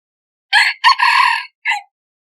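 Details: Crossbred rooster crowing: one loud, hoarse crow in three parts, a short opening note, a long sustained middle phrase and a brief clipped ending, against complete silence.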